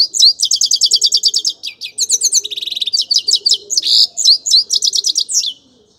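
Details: Grey-crowned goldfinch delivering a long, continuous, fast song of crisp high chirps and trills, with a brief dry buzzy passage in the middle and sharp twittering phrases until it stops.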